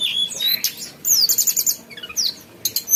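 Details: Lively song of a mountain tailorbird, mixing sharp high chirps, a quick run of bright descending notes and thin sliding whistles, delivered in short energetic bursts with short pauses.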